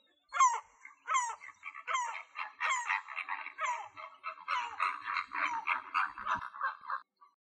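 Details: Flamingos at sunrise in Axios Delta National Park near Kalochori, Thessaloniki, Greece, honk in a harsh, goose-like chorus, with a dozen or so nasal calls overlapping at a brisk pace over about seven seconds.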